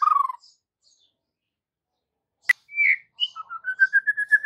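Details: White-rumped shama lure for juveniles in the afternoon: a short whistled phrase, long silence, a sharp click, then an upward slurred whistle and a steady run of repeated short notes climbing slightly in pitch.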